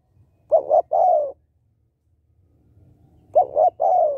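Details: Calling hen spotted dove used to stimulate males: two phrases of paired short coos and a longer descending coo, separated by a pause with light low background noise.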